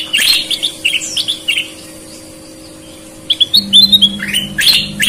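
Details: Sooty-headed bulbul song, red-eyed and white-eyed birds compared: an opening burst of chirps and downslurred whistles, a quiet gap, then renewed rapid whistled notes, with a low hum throughout.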